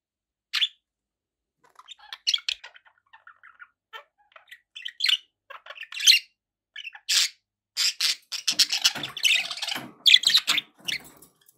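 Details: Household budgerigars begin with sparse soft chirps that build into loud, dense chatter of scratchy squawks and high tweets, busiest toward the end.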